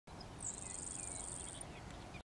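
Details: Grasshopper Sparrow calling on Range Road 3020 northwest of Mortlach, Saskatchewan, June 19, 2018, around 6:30 a.m.: one very high, thin, insect-like buzz lasting just over a second over a low rumble of wind.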